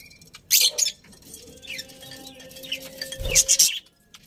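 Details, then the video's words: Happy budgerigars in a colony chirp in short loud bursts, with soft warbled notes between them and a faint steady whistle-like tone underneath. "Happy Budgies Chirping Sounds"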